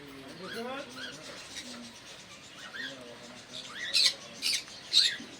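A pineapple conure chirps among busy warbling parrot chatter, with sharp loud squawks near the end.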